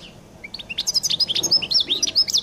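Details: Goldfinch song from Collo: a few soft opening chirps build into a lively, rapid twitter of high, bright, swooping notes and short trills lasting about two seconds.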